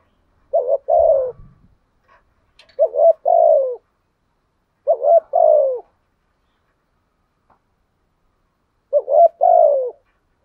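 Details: Spotted dove lure bird giving trained cooing: four spaced two-note phrases of low wavering then falling hoots, with a faint low thump near the start.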